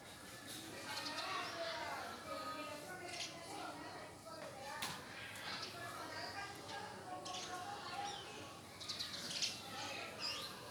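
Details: A flock of house sparrows mud-bathing in a cow shed in India keeps up a dense, overlapping chatter of short, bright chirps, with a murmur of voices possibly underneath.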